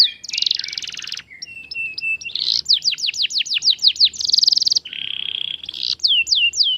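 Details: Canary song used to prompt silent canaries into singing: a loud, continuous stream of rapid trills, buzzy rolls and series of sweeping whistled notes, changing pattern every second or so.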